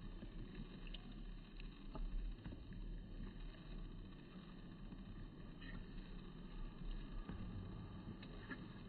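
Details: Low rumbling riverside noise with scattered soft clicks and taps; no animal voice is heard.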